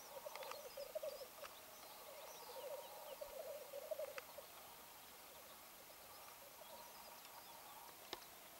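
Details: Black grouse in Lessinia giving a display call: a soft, rapid bubbling burble of low, dove-like pulses running through the first four and a half seconds, then fading, with faint clicks and a quiet background.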